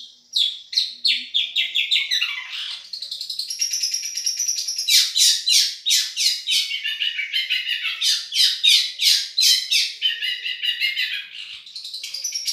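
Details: Madura long-tailed shrike singing a champion-style tutoring song: a long, fast stream of high scratchy trills and chirps, mixing rising and falling notes with buzzy bursts, almost without pause.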